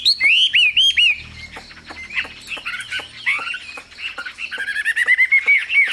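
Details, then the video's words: Chinese hwamei, a cage bird prized as a songster of the northwest Vietnam mountains, pouring out loud, varied whistled phrases: rich slurred notes and rapid rising-falling sweeps, some repeated quickly, with softer twittering between bursts. "Họa mi siêu phẩm, người dai miên man | Hoạt Họa Mi"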